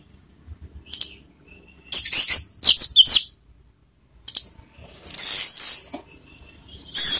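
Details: Orange-headed thrush in the 'teler' song style, played as a lure to raise emotion and breeding urge: bursts of high, shrill, rapidly warbled phrases separated by short pauses, with a faint thin whistle between them.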